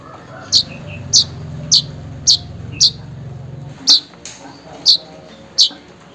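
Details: Weaver calling for a rival or mate, a sound used to prompt quiet weavers to call: eight sharp high chips spaced roughly half a second apart, over a low steady hum that stops midway.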